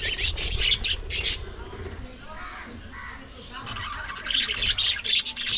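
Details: Pet budgerigars in loud, harsh chattering bursts at the start and end, separated by a quieter stretch with a voice in the background.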